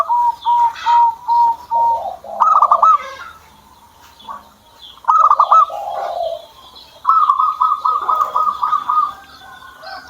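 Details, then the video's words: Pet zebra dove singing: a run of even, evenly spaced coos, then several stuttered, bubbling cooing phrases that end in softer lower rolls, with other small birds chirping faintly in the background. "PERKUTUT SAYA JADI MAU BUNYI"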